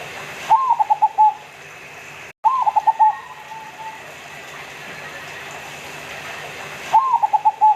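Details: Zebra dove of the local Indonesian type (perkutut lokal), singing actively: three phrases of quick, rolling, mellow cooing notes, each phrase opening with a rising note, then a run of rapid staccato coos. Gaps between phrases are quiet apart from faint background hiss.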